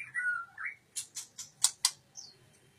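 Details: Quieter white-rumped shama phrase: a couple of slurred whistles followed by five evenly spaced sharp ticks and a short high note, over a faint low hum.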